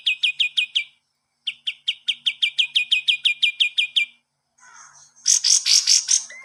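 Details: Kapas tembak bird, a master song for training cage birds: rapid bursts of bright, clipped chirps repeated about five per second in two runs, then a higher, harsher chattering phrase at the end.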